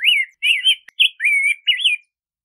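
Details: Rose-breasted grosbeak singing: a rich, warbled run of rising and falling whistled phrases, about five connected notes in two seconds, clean and without other sounds.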